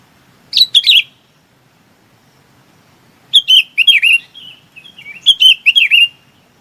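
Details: A bulbul calls its flock with a single short chirp, then a longer run of bubbly, falling-and-rising whistled notes trailing into a thin tone.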